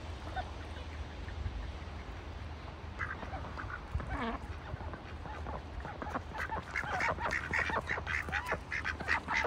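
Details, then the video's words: Ducks kept in a bucket on a farm in wintertime, giving short nasal quacks that start sparse and grow into a busy overlapping chatter in the second half, over a steady low hum. "ducks in a bucket - wintertime"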